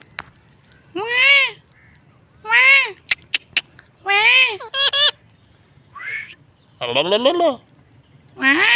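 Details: A pet parrot surprising its owner with strange, funny sounds: a string of arched harmonic squawks, short clicks, a double burst and a rising wail, spaced roughly a second apart.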